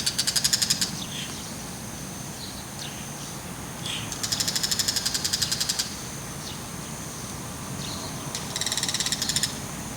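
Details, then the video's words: Bull-headed shrike calling while holding a mantis in its beak and looking around, mostly ground calls: three bursts of rapid, harsh rattling chatter, the longest near the middle, over a steady background hiss. "カマキリを口に咥えて自慢気に鳴くモズ～３種類の鳴き声～Bull-headed shrike"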